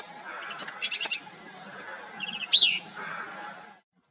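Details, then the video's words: Black-capped vireo singing a jumbled phrase of quick high chips and warbled notes, then after a pause a rapid stuttered burst ending in a sharp down-slurred note. "Black Capped Vireos"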